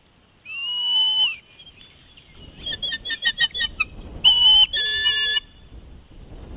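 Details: Eagles on their nest squabble over food, the male eating prey in front of a young female; a long piercing whine, then a quick run of clipped chattering notes and two more strong whistled cries.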